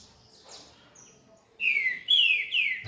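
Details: Coleiro, a double-collared seedeater, sings near 5:40 at dawn; after a quiet start come three bright whistled notes, each sweeping down in pitch, delivered rapidly and loudly.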